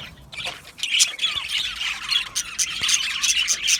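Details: Australian budgie colony in an aviary, chirping happily: a brief lull, then loud squeaky squawks and squeals over a bed of rapid high chatter.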